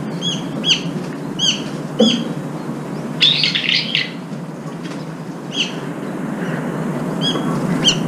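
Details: Brown-eared bulbuls crowding in to feed and fighting over the food dish give short, sharp, high chirps every half second or so, with a harsher squealing burst in the middle, over a low steady rumble.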